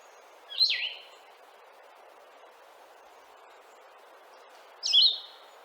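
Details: Blue-headed Vireo song: two slurred, downslurred phrases about four seconds apart, slower, sadder and lower-pitched than Red-eyed Vireo, with a sneezy, drawn-out quality ("here I am, over here"), over a steady soft hiss.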